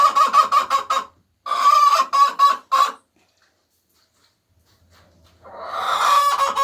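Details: Hens singing while laying eggs: quick clucks, a short gap, four louder raucous cackles, a long quiet stretch, then a swelling drawn-out squawk.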